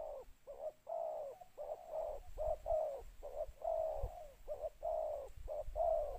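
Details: Spotted dove calling, two-note coo, used to lure wild doves, gives low, mellow coos in quick succession, about two notes a second, some phrases with a two-part rise and fall; faint background hum.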